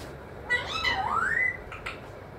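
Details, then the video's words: Talking pet parrot said to repeat mithu, mummy and papa. A single drawn-out harmonic utterance dips low, then climbs in a long smooth rising glide, followed by two faint short notes. "mithu mithu,mummy papa Bolney wala tota"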